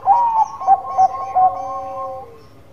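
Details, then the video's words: Bangkok-type zebra dove (perkutut) in full song: a clear, rhythmic series of short, hollow coos about every third of a second, running into a long, steady, gently falling drawn-out note that fades away. "Perkutut Bangkok Gacor Manggung"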